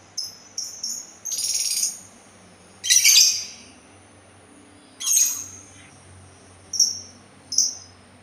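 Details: Sultan tit singing a loose series of high notes: quick thin chips, rasping buzzy bursts and clear short whistles, spaced irregularly, with a faint low hum behind.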